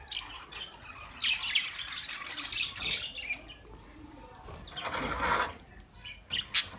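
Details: Budgerigar chirping meant for lonely pet birds: scratchy high twitters and chirps, then a harsh broad squawk and sharp short notes near the end.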